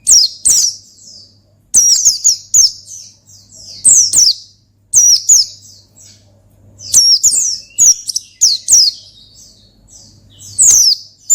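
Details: Oriental white-eye delivering a lively gacor ngalas to provoke a rival: dense bursts of high, quick, falling chirps and twitters, repeated in groups every second or two, above a faint low hum.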